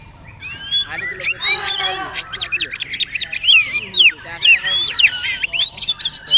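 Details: Singing magpie-robin, poci trotol style tutor song: a dense jumble of rapid chattering clicks and short notes, building into bright, sweeping whistled phrases in the second half.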